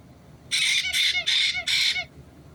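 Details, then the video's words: Four rasping, buzzy shrieks in close series from a white-bellied caique parrot, each roughly a third of a second long, recorded on 6 April 2022 against faint low room noise. "White-bellied Caique 金凱克 鸚鵡 Parrot"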